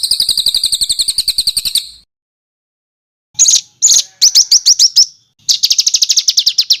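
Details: Harsh rolling songbird song used to train competition birds like murai batu and kacer: a buzzy, even trill, a pause, scattered sharp bursts, then the rapid roll resumes.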